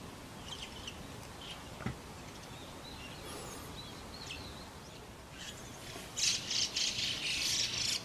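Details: Thin high chirps from white-cheeked starlings raising young at the nest, followed by a loud, harsh, rapidly repeated chattering outburst in the final two seconds.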